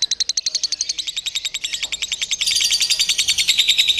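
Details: Lovebird being prepared for a singing contest through a simulated competition; sharp, evenly spaced high chirps speed up into a denser, louder, buzzing trill halfway through.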